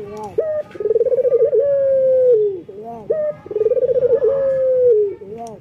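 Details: Two full phrases from a breeding male local collared dove calling to females, each a short note, a rapid rolling trill and a long smooth coo that sinks at its end, repeated about every three seconds.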